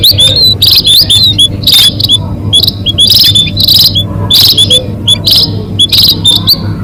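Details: Lure recording of munias used for bird catching: high, thin chirping notes in rapid clustered bursts about every half second to second, many birds overlapping, over a constant low hum.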